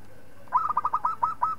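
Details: Local zebra dove singing, used as a tutor song for training other birds: after a short quiet start, a quick string of about eight soft, mellow coos with slightly rising tails, over a faint steady low hum.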